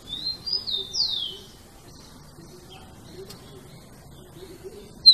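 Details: Tico-tico (rufous-collared sparrow) singing "Jesus meu Deus": three whistled notes opening the clip, the last a long downward slur. Near-quiet follows, with a faint low hum and a sharp sound at the end.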